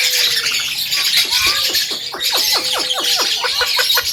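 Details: Javan myna singing energetically, a master recording for teaching other songbirds: a falling whistle, then a quick series of sharp downward sweeps with a steady tone underneath, amid loud high hiss.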